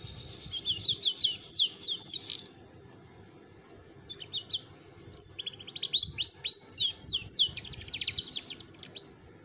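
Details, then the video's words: Adult female domestic canary singing a broken roll: bursts of rapid, chirpy, high trills and slurred notes. One run lasts about two seconds, a short burst follows, then a longer stretch of fast rolling notes after a pause. "Kenari Betina Gacor Ngeroll"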